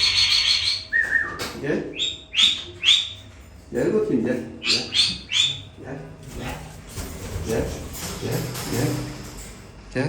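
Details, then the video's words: Sulphur-crested cockatoo, one of three talking pet birds, gives harsh, raspy squawks and broken voice-like syllables, mixed with a person calling to it in Turkish throughout. "İLGİNÇ KONUŞAN PAPAĞANLAR SÜLFÜR KAKADU ÜÇ ADET ÜÇÜDE KONUŞUYOR"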